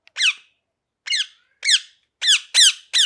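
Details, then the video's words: Parrot giving sharp, high chirps that sweep downward, about six notes in quick bursts separated by short pauses, in a quiet indoor setting. "Parrot Chirping Sounds | Natural Parrot Sounds | Parrot Calling Sounds"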